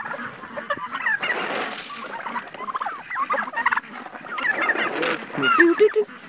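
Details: Domestic turkeys in a busy farmyard, some being caught, give a jumble of wavering, nasal calls rising and falling like a car alarm, several birds calling over one another.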